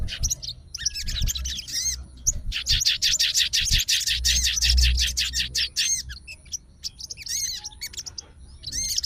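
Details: Sooty-headed bulbul of fighter type calling a rival after hearing another's song: scattered chirps building into a long, rapid volley of rasping notes near three per second, then sparse whistled slurs, with low background rumble.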